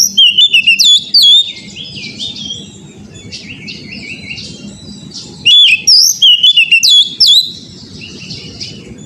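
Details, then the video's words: Magpie-robin song meant for training caged birds to sing freely: two bursts of loud, choppy whistles and quick slurred notes, separated by a long stretch of quieter chattering phrases, with low broadband background noise throughout. "TERAPI KACER BAHAN AGAR CEPAT GACOR NGEPLONG"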